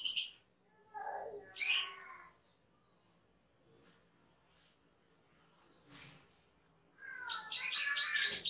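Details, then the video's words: Cucak keling, a cage bird singing in a master recording for training birds, with scattered high whistles and buzzy rasping bursts separated by pauses, and a fuller chattering phrase at the end. "SUARA MASTERAN CUCAK KELING/KERLING"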